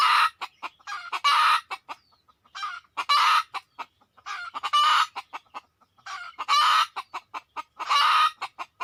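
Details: Wild red junglefowl lured toward a decoy: repeated loud, harsh squawks in pairs, around every one and a half seconds, interspersed with fast clucking pulses.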